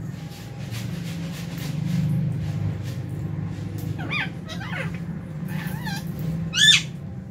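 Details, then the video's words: Lovebirds in an aviary at meal time in January, including albino, Fisher's and lutino birds: several short, sharp, bending chirps in the second half, over a steady low hum and background rumble. "Lovebird Chirping Sounds"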